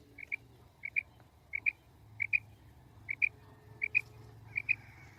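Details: Female common quail calling, recorded for quail hunting: clear paired notes, each pair repeated steadily about every three-quarters of a second, over a low hum and faint background noise.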